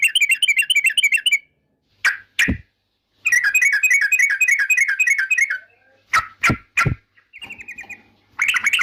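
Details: Yellow-vented bulbul song, presented as a sound that provokes rival birds: rapid runs of bright, bubbly repeated notes lasting over a second, broken by sharp loud clicks, short pauses and a brief softer twittering passage.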